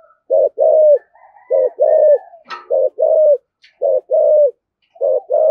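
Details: Spotted dove in the 'thổ' voice, 'thúc gù' cooing used to provoke other doves: paired low coos, a short note then a longer one, repeated steadily, with soft hums between and one sharp knock.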